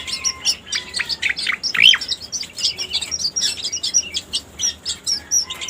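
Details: Lure song of a striated grassbird: soft, high twittering notes with one loud rising whistle near the start, then steady pulses of quieter chirps.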